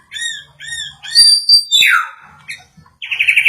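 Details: White-rumped shama agitated by a played sound: three clear, harmonically rich whistled notes, a sliding descending phrase, then a fast high trill to finish.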